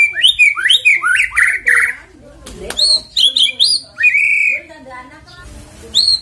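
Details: White-rumped shama singing, a lure recording meant to prompt birds to sing: quick cascades of rich, slurred whistles, a sharp click-like burst midway, then loud drawn-out whistled notes and high chips.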